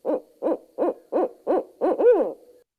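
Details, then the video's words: A female Barred Owl in Michigan gives six quick, wavering high-pitched hoots, about three per second, ending in a longer rising-falling drawn-out hoot; the excited calling warns other barred owls away from an intruder. "The female vocalizes too, and she is at a high pitched hoot."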